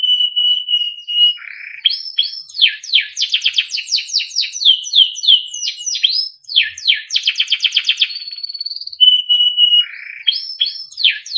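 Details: A small yellow Timbrado canary sings melodically for training, opening with a level sustained whistle, dropping into low swoops, then bursts of very fast rattling trills and slurred notes, repeating the sequence.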